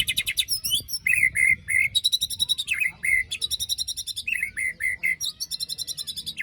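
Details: White-rumped shama after moulting, sung as a stimulus for a shama no longer singing: a continuous energetic stream of rapid chattering trills. Short clear whistles and harsh high bursts are woven in, with barely a pause.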